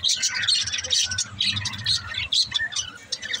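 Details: Budgerigars warble in a dense, fast chatter of high, scratchy twitters and chirps that overlap almost without pause.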